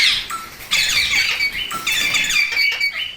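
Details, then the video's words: Parrot giving harsh, dense squawks with rich upper harmonics, several overlapping calls running almost continuously for three seconds after a brief opening burst, with little background sound. "Parrot Natural Sounds Compilation/ Parrot Talking Videos|Parrot Ki Awaaz|Mitthu Ki Awaaz|"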